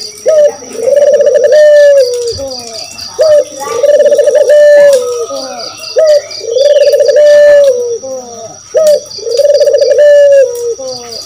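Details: Spotted dove (puter, kedis kuteh) calling as a lure to set other birds answering; a short rising note then a long steady, slightly wavering coo, repeated four times about every three seconds, with a rhythmic high chirping beneath.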